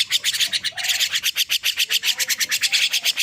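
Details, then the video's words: A young starling, just awake, keeps up a steady stream of buzzy scratchy pulses with a few soft whistled notes underneath. "Kicau anakan Burung Jalak Baru Bangun Tidur"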